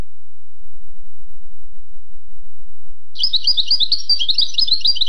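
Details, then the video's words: European goldfinch singing a training song for young goldfinches; after a quiet start, a dense stream of high, jangling twitters begins and continues, with a low steady hum underneath. "chant maknin pour écolage jeune chardonneret"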